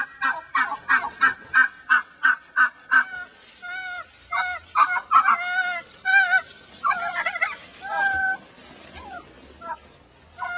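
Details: Upset hen in a chicken-wire pen, recently returned to the flock that attacked her, makes quick harsh clucks, then slower drawn-out squawking notes with wavering tone, trailing off near the end.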